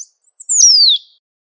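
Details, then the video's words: Great pampa finch in nature giving a clear high whistle that slides steadily downward for about half a second, with a faint lead-in note before it; quiet background. "SABIÁ BANHADO CHAMANDO E CANTANDO MUITO NA NATUREZA"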